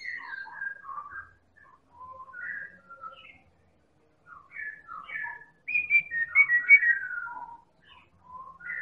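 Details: White-rumped shama of the Medan type, a champion-class bird, singing to goad other birds into song: varied clear whistles and short slurred notes in loose phrases, building to a rapid, richly warbled run near the end.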